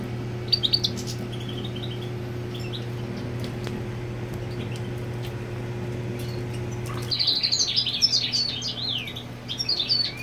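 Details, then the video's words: European goldfinch singing to mark territory, female on the nest; a few faint high chirps, then after a pause a loud, jumbled run of rapid tinkling and slurred notes, over a low hum that stops midway. "Jilguero Marcando Territorio con Hembra en el Nido"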